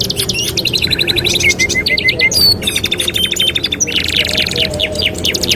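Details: Canary (kenari) master song used for training canaries: rapid trills, chattering runs and high whistled notes in quick succession, with several birds singing at once over a low background rumble.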